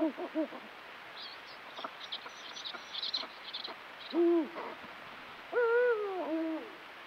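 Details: Eurasian eagle-owl pair during breeding season, full-moon night with calls and copulation in their territory; quick burst of short low hoots, faint high ticking and chirps in between, then two longer, deep wavering hoots.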